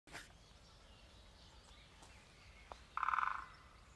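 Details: Great spotted woodpecker tapping on a birdhouse: one short, dense, resonant burst of rapid knocks lasting about half a second, after a single sharp knock, with faint bird calls and a quiet outdoor background.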